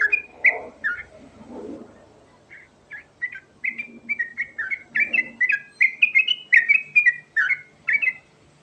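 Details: Caged Sooty-headed Bulbul (trucukan) singing a fast rolling 'ngerol' song meant to make other birds answer: an unbroken run of short, clear whistled notes, some rising or falling, delivered about two per second, with faint room noise beneath.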